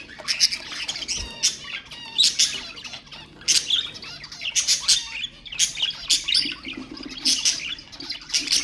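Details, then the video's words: Pet budgerigar song meant to stimulate other birds: loud bursts of harsh, scratchy chatter and squawks roughly every second, separated by quieter warbling twitters. "اقوى أصوات طيور البادجي طيور الزينة أصوات تحفيز الطيور"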